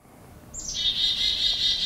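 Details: A Black-capped Chickadee near a wildlife sanctuary in Canton, Massachusetts, gives its chick-a-dee alarm call, which varies with the threat. A quick high note slides down into one long, buzzy, nasal 'dee' held to the end, over faint background hiss.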